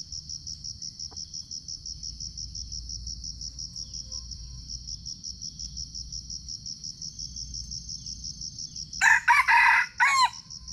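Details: Wild red junglefowl in Sumatra, recorded with a GoPro while being lured: a rhythmic cricket trill fills the first nine seconds, then a sudden loud, rasping crow breaks in with several choppy segments, ending abruptly.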